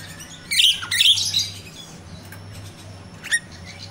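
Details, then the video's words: Myna (jalak Rio-Rio) recorded in nature as a lure for caged birds: two loud grating bursts at the start, then quiet hum and one short sharp note near the end. "Suara jalak Rio-Rio asli alam"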